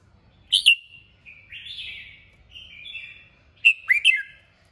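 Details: Red-whiskered bulbul, 'kích bổi' stimulation song: a sharp opening note, then drawn-out slurred whistles that waver up and down, ending in a quick cluster of three loud chirpy notes, with a quiet background.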